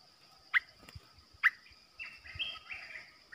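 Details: Caged olive-winged bulbul used as a decoy bird for trapping gives a few sharp rising chirps followed by slurred, warbled notes, with a steady high background hum and soft low thumps.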